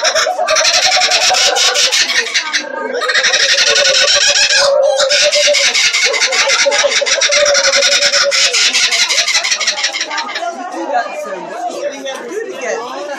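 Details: A laughing kookaburra at a zoo and botanical garden in Palm Springs gives a loud, raucous cackle, harsh chuckling notes tumbling rapidly for over ten seconds before breaking into scattered, softer chortles.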